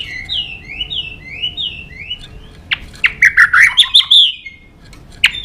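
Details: White-rumped shama in fighting song, opening with a series of short rising whistles repeated rhythmically, then sharp clicks and a fast, excited run of high warbling notes.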